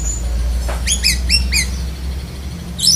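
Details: Black-breasted Oriental magpie-robin singing mimicked phrases of other birds, including lovebird: four short, sharp, hooked notes in quick succession, then a brief high squeak near the end, over a steady low hum.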